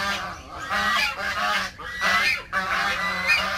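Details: Backyard domestic geese honking: harsh nasal honks in several overlapping bursts, some roughly once a second, forming a noisy chorus.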